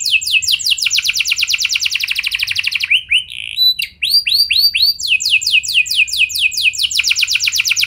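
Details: Canary singing to prompt other canaries to sing: dense rapid trills, a brief break filled with varied chips and slurred notes, then renewed fast rolling trills to the end.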